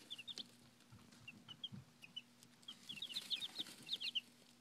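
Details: High, descending peeps from five-day-old chickens start sparse and then crowd into a busier run of rapid calls toward the end, over a faint steady hum.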